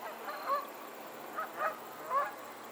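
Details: On a Pennsylvania lake, geese give four distinct nasal honks, short and slightly rising, spaced about half a second to a second apart, over a faint steady hiss.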